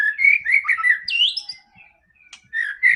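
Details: Song of a White-rumped shama used as a lure for a silent bird: a fast flowing whistled phrase with a high upward flourish, a pause, then the next phrase starting.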